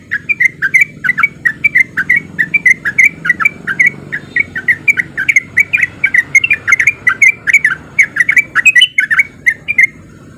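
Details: Sooty-headed bulbul male giving a fast rolling 'ropel' song meant to provoke other bulbuls into answering. Dense runs of short, bubbly, slightly rising notes pour out without pause for ten seconds, with a faint low hum beneath.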